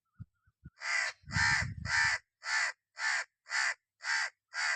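A red-naped ibis gives a series of about eight harsh, nasal screeching calls, roughly two per second, with a few low thumps near the start.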